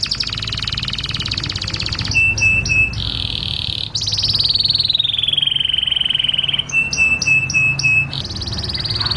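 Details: Canary singing for mating: long rolling trills, short bursts of clear repeated whistles, and a long buzzy note sliding slowly downward, over a steady low rumble.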